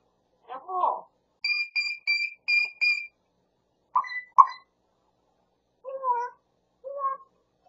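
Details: Grey parrot kept as a pet near Los Angeles, imitating a cat, a Pungsan dog and the husband calling; a garbled syllable, then five evenly spaced high electronic-sounding beeps, followed by brief chirps and two low word-like utterances.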